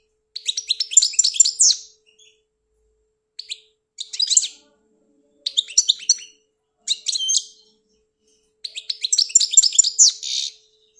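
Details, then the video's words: European goldfinch from Algeria singing in repeated bursts of quick tinkling and twittering notes, some phrases longer and richer, separated by short pauses across about eleven seconds. "The best goldfinch singing beautifully"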